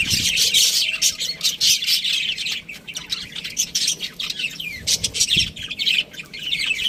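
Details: High, raspy chirping and warbling from a budgerigar, delivered in long dense bursts broken by short quiet gaps, with a faint low thump near the start.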